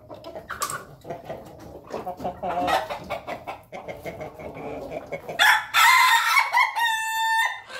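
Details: Ayam Ketawa chickens feed as a group in their coop, busy clucking throughout, then a loud rasping crow bursts out and ends in a clear, stuttering, laugh-like held note.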